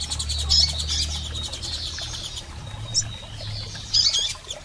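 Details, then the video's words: Calls of female and male double-collared seedeaters meant to stimulate a male: bursts of rapid high chirping at the start and end, a lone sharp chip in the middle, low rumble underneath. "PIADOS de Coleiros Fêmeas e Machos Para Foguear Seu Coleiro!!!"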